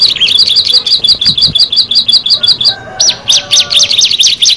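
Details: Bar-winged prinia, one of six birds, sings a run of bouncy high double chirps, pauses briefly, then bursts into sharp rising squeaky notes.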